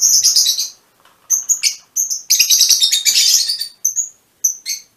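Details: Colour-mutation Fischer's lovebirds chatter in shrill, high, scratchy bursts, with squeaky notes in quick irregular runs, sometimes overlapping, with short pauses between.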